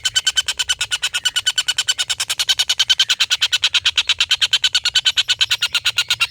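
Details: A collared kingfisher's extended laughing call, kept as a training master for competition birds: a continuous, fast chatter of rasping notes, about seven a second, holding steady for the whole stretch with no pause.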